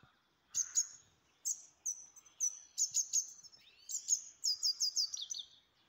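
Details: Caged grey-headed goldfinch from Istaravshan sings a lively twittering phrase of high, sharp chirps that builds into a fast run of repeated ringing notes near the end, with a quiet background.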